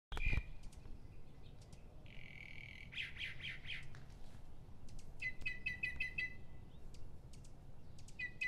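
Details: A mockingbird singing in the small hours before dawn gives varied bright phrases, several repeated as quick runs of three to five notes, over a steady low rumble.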